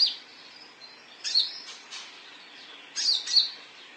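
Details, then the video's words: Olive-backed sunbird, called konin, giving high, sharp chirps used as a lure for other birds: a short thin note, a pause, then two quick bright chirps near the end. "Suara panggilan konin"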